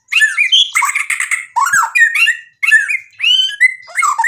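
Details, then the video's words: White-rumped shama singing forcefully with mimicked phrases to stir replies from other birds: harsh squawky notes mixed with swooping whistles and clipped chatter in short dense bursts. "MURAI BATU GACOR bikin EMOSI jadi NYAUT BUNYI BONGKAR MATERI ISIAN | murai full isian"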